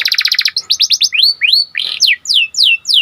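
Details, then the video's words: Panda canary song for raising excitement in canaries: a quick pulsing trill followed by a series of loud clear whistled notes, some rising and some falling, spaced about three per second. "Meningkatkan Emosi Dengan Kicauan Burung Kenari Panda Gacor"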